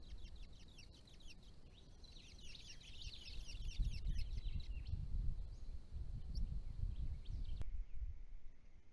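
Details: Brown-headed honeyeaters, regular visitors to ponds, feed each other, mate and drink, giving rapid, high, thin chips and twittering chatter, busiest in the first half, over a low wind rumble.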